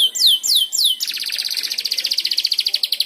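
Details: Canary in training singing ngeriwik after hearing another canary: three loud downward-slurred whistles, then a fast even buzzy trill pulsing steadily to the end.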